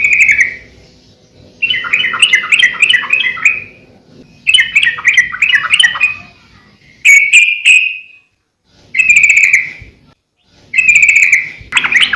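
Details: Lively sooty-headed bulbul, played to train and lure others, sings bursts of rapid chattering notes separated by pauses, alternating with short sustained whistled notes, about six phrases in twelve seconds.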